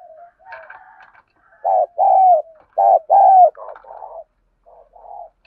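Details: Spotted dove decoy answering a rival, cooing in the 'thổ' voice style: two loud pairs of short-then-long coos in the middle, with quieter, rougher coos before and after.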